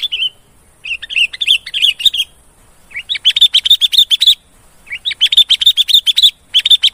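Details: Lively sooty-headed bulbul song played as a bird lure, starting with a few warbled chirps, then fast runs of sharp repeated notes several per second, broken by brief silences.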